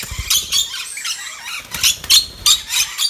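Red-collared lorikeet giving shrill, harsh screeches in short bursts, about two or three a second in uneven clusters, with faint low thumps beneath.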